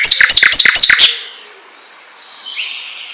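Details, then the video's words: Asian brown flycatcher song used to draw other birds into singing: five or six quick, sharp chirped notes in about one second, followed by near silence and a faint, thin rising note. "SUARA BURUNG SIKATAN LONDO ,MEMANCING SEMUA BURUNG GACOR"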